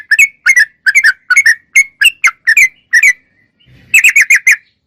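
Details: Sooty-headed bulbul singing steadily, clear recording for training caged songbirds: paired and tripled liquid whistled notes in quick bursts, a short pause near the end, then a fast cluster of bright chirps.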